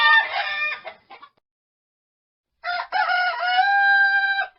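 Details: Rooster crowing twice: a harsh, rich first crow that breaks off with a short stutter, then after a pause a longer crow that ends in a sustained, steady drawn-out note.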